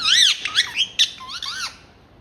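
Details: Pet ringneck talking parrot in a small room, producing a rapid string of bright, bending squawks and clipped syllables with a sharp click near the middle, mimicking speech rhythm.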